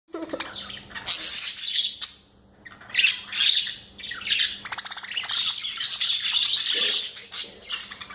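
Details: Budgerigars eating coriander chatter in bursts of buzzy, scratchy warbles and sharp chirps.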